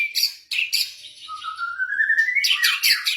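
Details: Caged blorok white-rumped shama singing to encourage other birds: harsh high notes, then a long clear rising whistle, followed by rapid scratchy chatter.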